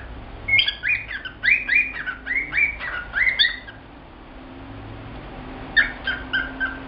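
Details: Male cockatiel, a pet bird, singing as part of typical male behaviour: a run of short warbled whistles with chirpy squawks for about three seconds, a pause, then a second shorter burst of whistled notes.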